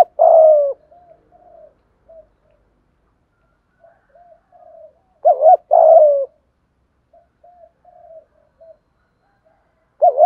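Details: Coo of a spotted dove, 'thúc gù' style, meant to make wild and decoy doves answer: long falling coo, scattered soft notes, then a doubled short note and long coo mid-way, a further note at the end.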